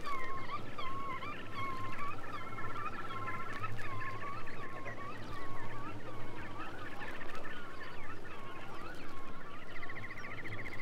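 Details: Black-tailed Godwits recorded between 1961 and 1981 for a Soviet waders sound guide: continuous overlapping wavering, nasal calls from several birds, rising and falling, over dense background noise.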